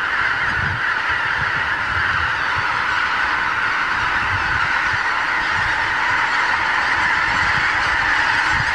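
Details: Thousands of wild geese meeting on pastures of the Lower Rhine in the morning; loud, steady chorus of overlapping honks throughout, with faint low wind bumps.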